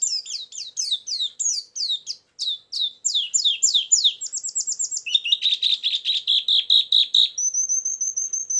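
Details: White-eye lure song for trapping: a long string of steep down-sweeping high chirps, then a rapid buzzy trill, ending in a thin sustained whistle.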